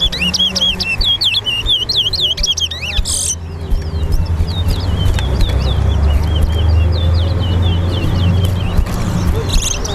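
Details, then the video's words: Towa towa (lesser seed finch) singing in a race competition at Lusignan bird ground, Guyana: fast whistled looping notes over three seconds, then fainter repeated chips over steady low rural and engine rumble, with voices nearby. "TOWA TOWA BIRD RACE AT LUSIGNAN BIRD GROUND"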